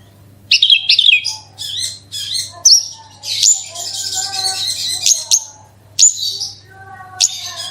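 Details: Javan bush lark, a kept bird singing to prompt other larks to sing: a fast, varied run of high whistles, sharp chips and buzzy trills, with short pauses between bursts.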